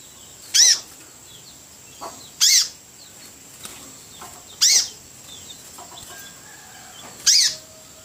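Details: Freshly obtained sogok ontong spiderhunter starting to sing; four loud, clipped, high-pitched arched notes roughly every two to two and a half seconds, plus a softer lower chip and faint background twittering.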